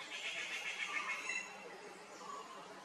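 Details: Grey-fronted green pigeon, one of a pair in Kerala, giving a wavering whistled call that starts high and drops to lower, mellow notes after about a second and a half, over steady hiss.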